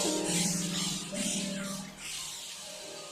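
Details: Music with sustained instrumental tones fills the recording, with no animal sound present.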